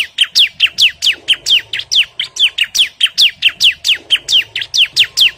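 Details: A bar-winged prinia sings aggressively toward a rival, pouring out a lively, slightly uneven string of sharp descending chirps, around three or four per second.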